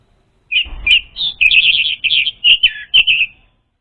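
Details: Orange-headed thrush lure song for training untrained birds: a dense run of clear whistled and warbled notes, fast varied phrases with short rising and falling slurs, lasting about three seconds in otherwise quiet surroundings.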